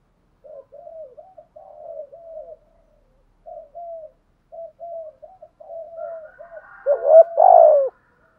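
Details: Decoy spotted dove giving 'thúc gù' cooing: soft, arched, mid-pitched coos in short bursts separated by brief pauses, ending with two much louder, rougher coo notes. The background is otherwise quiet.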